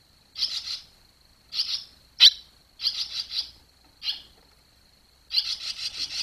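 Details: Barn swallow young fledging from the nest in July 2023, uttering repeated clusters of high chirps roughly every second, one sharper single note midway, ending in a longer stretch of fast twittering.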